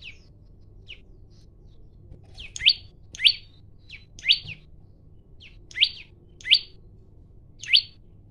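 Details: Male olive-backed tailorbird challenging to fight, singing vigorously and recorded by phone; starts with scattered soft notes, then strident upward-sweeping chirps come roughly every half second to second, each preceded by a brief quieter note, with faint low background rumble.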